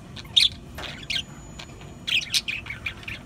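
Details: Budgerigars, kept as pets, giving short bright chirps and squawky notes in small bursts, clusters near the start and again after two seconds, with a faint steady hum underneath.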